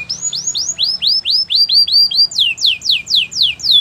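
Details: Canary singing a training song, a series of bright slurred whistles that rise and then fall, about three each second, switching to higher, steeper sweeping notes halfway through.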